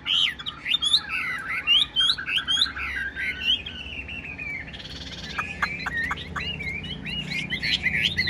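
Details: Chinese hwamei singing nonstop with fanned tail, a bird described as 95% tame: a rich, varied run of loud whistled and slurred phrases, rising and falling, with a brief harsher burst midway and sharp downward notes near the end.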